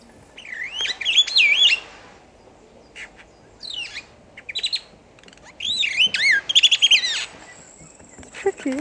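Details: Superb starling at Newquay Zoo in 2014 singing in rambling bursts of high, twisting whistles and fast chattering warbles, with brief pauses between phrases and a faint human voice at the end.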